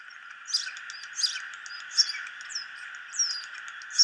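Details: Starling in joyful voice giving short, thin, high chirps and squeaks about every half second to second, with a continuous low hum behind.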